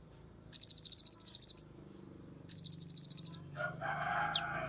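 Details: Two rapid buzzy trills of high pulses from a sunbird lure for Kolibri Ninja birds, followed by a brief sharp whistle against faint lower noise.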